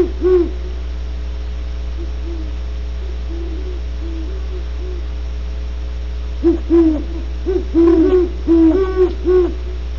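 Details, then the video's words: At Audubon Starr Ranch in California, great horned owls give quiet, scattered low hoots early on, then a louder cluster of rapid overlapping hoots in the last few seconds, with a persistent low hum throughout. "27mins of GREAT HORNED OWLS"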